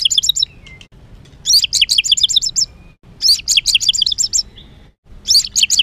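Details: White-rumped shama, agitated rough song to provoke other birds: fast bursts of high twittering notes, each about a second long, repeated with short silent breaks and a thin whistle between them.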